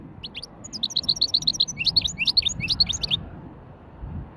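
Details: ['Hybrid goldfinch giving a light warm-up of wedani-style song: a run of quick, sharp twittering notes, then slurred chirps repeated several times a second, stopping after about three seconds over a low background murmur.']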